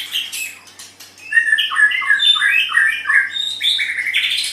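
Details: Pet white-rumped shama in varied song: quick succession of bright whistled and buzzy notes, rapid stuttered phrases rising and falling, with a faint steady hum behind.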